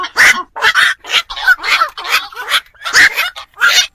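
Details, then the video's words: Black-crowned night heron calls meant to draw birds into night traps for Tết: about eight loud, hoarse, barking croaks, each roughly a third of a second, in a steady series. "tiếng chim vạc"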